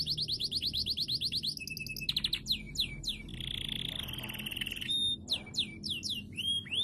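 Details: Canary song aimed at getting other canaries to sing: a fast regular trill of high notes, a buzzy rattle, slurred whistles, a grating buzz, then scattered clear whistled notes with low hum behind.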